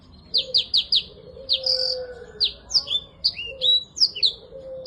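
A black-throated canary sings a lively, high-pitched song of quick chirps and twittering trills in rapid bursts, with a faint lower whistle behind it.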